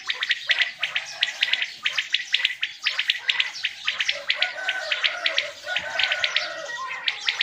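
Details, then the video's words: Quails calling in the morning, hunting season: rapid, bright chirped notes in repeated short clusters overlapping throughout, with softer lower murmuring notes underneath. "Quails calling for morning hunt seasson | Batair ki awaaz subha k leay | بٹیروں کی آواز صبح کے لیے"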